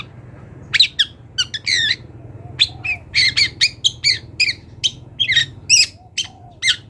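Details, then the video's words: Wild long-tailed shrike singing a varied, mimicry-filled song for training songbirds: separate sharp chirps, squeaky whistles and harsh notes, about two per second, over faint low hum. "CENDET GACOR BONGKAR ISIAN | MASATERAN CENDET BURUNG LIAR"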